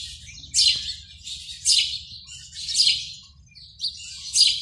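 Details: Early-morning breeding-season calling of a male house sparrow at its nest box in February, meant to draw females: four loud, rasping chirps about a second apart against a quiet background.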